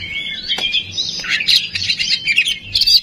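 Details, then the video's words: Oriental magpie-robin (kacer) song used as a lure to provoke singing: a continuous run of whistled and warbled phrases between 2 and 5k, with brief sharp clicks and faint low hum beneath. "Suara Pancingan Kacer Agar Cepat Emosi Gacor"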